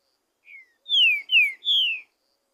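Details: Wild green-winged saltator, loose in the forest, singing a great deal. The song is played to excite captive birds. A soft, short opening whistle is followed by three bold, descending slurred whistles. The background is quiet.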